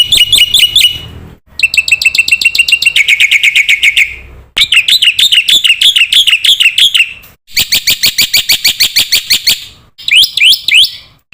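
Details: Black-winged myna giving a varied chattering song used as a training recording to prompt young cage mynas: buzzy rattles, rolling warbled phrases, fast repeated chips and rising whistles, changing every few seconds.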